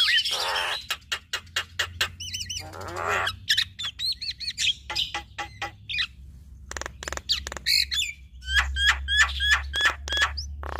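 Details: Male and female Javan myna singing a duet, showing off their repertoire: rapid sharp clicks and chips repeated about three times a second, mixed with short whistled notes and harsh raspy bursts, over a steady low hum.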